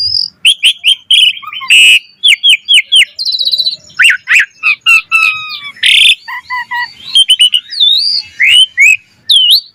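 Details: Asian pied starling in busy varied song intended to teach other starlings: rapid chirps and clicks, scratchy bursts, twisting whistles and short repeated phrases packed tightly together.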